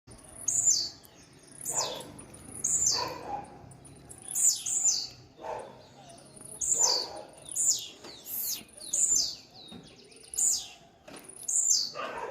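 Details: Blue-black grassquit singing very fast toward another bird: sharp, high buzzy notes that sweep up then drop, each given about every two seconds, seven in a row, over a quiet background.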